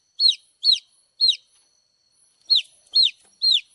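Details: Baby chicks peeping: clear high descending chirps, each a quick downward-arched note, given in two bursts of three with a short pause between, nothing else audible.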